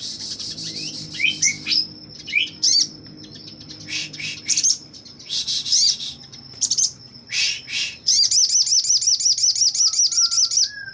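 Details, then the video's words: Wing-spreading Sogon in full song at a magpie-robin breeding farm: scattered high chirps and buzzes, then a fast run of repeated sharp notes near the end, with a faint steady whine behind. "Burung sogon gacor buka sayap"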